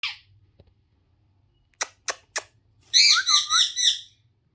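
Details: Pet ringneck parrot indoors in a small room: a brief squawk, then three sharp clicks, then a burst of warbling, harsh chattering notes lasting about a second.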